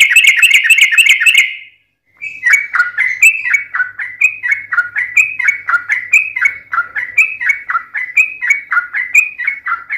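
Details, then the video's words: Yellow-vented bulbul, locally trucukan, singing a long 'ropel' fighting song: a fast, dense high twittering burst, short silence, then a steady run of bubbly descending phrases about four per second. "SUARA trucukan gacor TARUNG ROPEL PANJANG"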